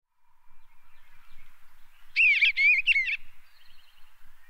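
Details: Eastern Bluebird recorded in Tennessee, giving a short burst of soft warbled, slurred notes lasting about a second, with faint distant bird calls and quiet rural ambience around it.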